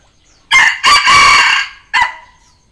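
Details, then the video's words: Red junglefowl decoy crow, used to call and challenge wild junglefowl: a loud, raspy three-part crow with a long strained middle note and an abrupt short ending, in a quiet setting. "เสียงต่อไก่ป่า เสียงไก่สำหลับต่อ"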